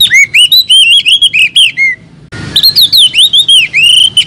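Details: An Oriental magpie-robin sings a quick run of clear, high whistled notes, rising, falling and swept, with a short pause midway before the phrases resume, used to train young magpie-robins' voices.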